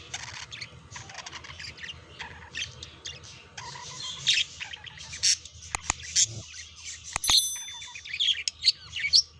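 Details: Budgerigars courting and mating as pets, with a steady run of rapid scratchy chatter, sharp high squeaks and clicks, busier and louder toward the end.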